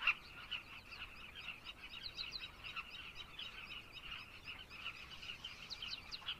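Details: Many carmine bee-eaters in Zambia call continuously in rough, rolling notes. Numerous short upward chirps are scattered throughout the dense chorus.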